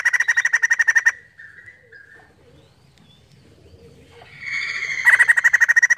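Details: A White-crested laughingthrush gives loud, rapid chattering bursts of rattled notes, about three per second, with a quieter gap between the two bursts; its song is used as a lure to prompt other birds to sing.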